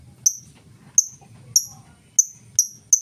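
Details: Lovebird ticking in full ngetik style without ngekek, used to coax other lovebirds to sing; six crisp high-pitched ticks at roughly half-second to second intervals, over a faint low hum.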